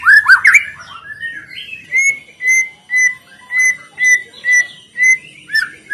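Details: White-rumped shama song played to draw other birds into singing: a burst of tangled whistles, then a steady series of clear level whistled notes repeated about twice a second.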